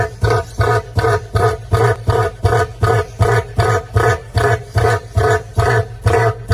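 A cassowary gives deep, throbbing booms with a rough, rumbling edge, pulsing steadily about two to three times a second.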